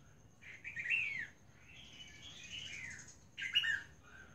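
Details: Albino female red-whiskered bulbul giving three bright, warbled phrases. Each is made of slurred, falling whistles, with a softer rising and falling run in the middle and short pauses between phrases.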